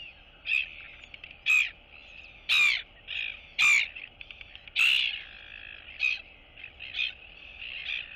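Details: Two royal albatross chicks greet each other in their colony, 9 September 2022. Loud, short, squawking calls repeat roughly once a second, some rising sharply. Softer calls fill the gaps.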